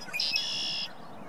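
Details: Red-winged blackbird singing for a mate by a pond in Ohio, USA, on an April evening, recorded on a camera's zoom microphone: a brief short lead-in note, then a loud, buzzy, sustained high trill lasting about two-thirds of a second.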